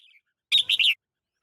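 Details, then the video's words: In a lychee orchard on 21 March 2020, a red-whiskered bulbul gives a short burst of three rapid, clear warbling notes, preceded by a soft little chirp, against a silent background. "เสียงนกกรงหัวจุก ในสวนจี้นจี่"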